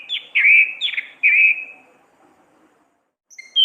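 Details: Caged orange-headed thrush in full lively song for training other songbirds: three slurred whistled phrases in quick succession, then near silence, and a new high whistle begins at the end.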